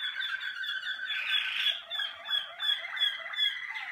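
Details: Malinois Waterslager canary singing in the cabinet during early warm-up sessions: dense bubbling, water-like rolls with brief bright whistled accents.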